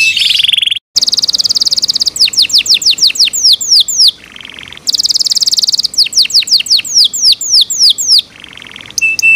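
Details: Yorkshire canary, a pet bird in its owners' care, delivering loud song: dense buzzy trills alternating with series of sharp downslurred whistled notes, broken by short pauses.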